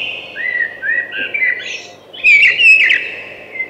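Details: Thrush singing a run of clear whistled phrases that shift in pitch, the last few louder and more complex with trills layered over them, in a quiet setting.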